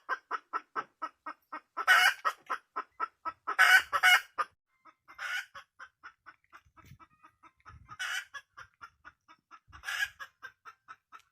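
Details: Hen red junglefowl from the wild: fast, steady clucking with two loud, raspy cackles early on, then softer clucks with occasional harsh bursts.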